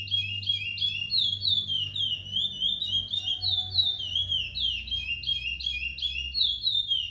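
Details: Captive-bred chestnut-bellied seed finch, a brown-plumaged ten-month-old curió from northeastern Brazil. It sings a fast, unbroken stream of loud, sweet whistled notes, each sliding downward, about three per second. A steady low hum sits in the background.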